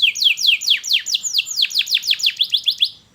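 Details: Canary in the "cuit cuit" style used to teach young birds: a quick series of about fifteen high notes each sweeping downward, evenly spaced, fading out at the end.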